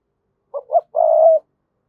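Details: Spotted dove cooing to call a rival bird: two short hollow notes followed by a longer, steady, rolling coo, one clear phrase in quiet surroundings.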